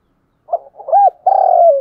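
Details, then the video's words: Spotted dove calling to attract and stimulate other doves: a soft short note, an arched coo, then a long, even, drawn-out coo sliding down at the close. "tiếng cu gáy gọi mồi và kích bổi hiệu quả nhất, mở lên bổi nghe nhạy gáy và nhanh nổi"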